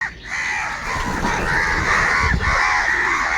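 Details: Crows fighting for food make a dense, continuous chorus of harsh, overlapping caws that hardly pause over several seconds. The noisy calls rise and fall in loudness. Some low rumbling sits underneath.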